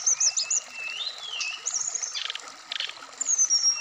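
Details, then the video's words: Black-throated laughingthrush, known locally as SRDC, singing in a recording meant to spur wikplong sounds and varied singing. A long gliding whistle rises and falls, followed by thin high sweeps and two short rasping bursts, over a low constant hum. "terapi srdc biar cepat bunyi wikplong Dan gacor full variasian"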